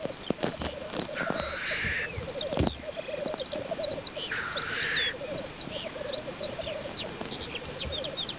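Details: Black grouse cock at a lek: continuous low bubbling rookooing with two loud hissing sneeze-like whooshes, many high chirping calls from other birds scattered above.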